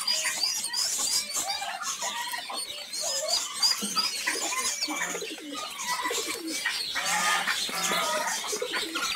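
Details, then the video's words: Many newborn baby chicks peeping nonstop while walking and learning to feed: high, thin, overlapping chirps, several each second, forming a dense, busy chorus. "Cute Baby Chicks Playing & Making Noises"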